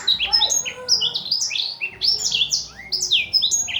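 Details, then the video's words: Blackthroat master song: a continuous tumbling stream of high, sweeping chirps and slurred whistles, rapid and varied, with no pauses and very little background. "burung master kicau blackthout"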